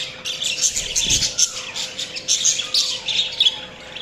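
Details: Budgies chatter in bright, high, rapid chirps and warbles almost without a break, with a brief low knock early on and a faint background hum.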